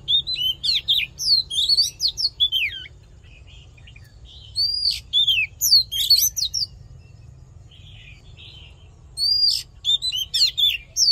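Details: Oriental magpie-robin; fighting song; rousing males to sing and fight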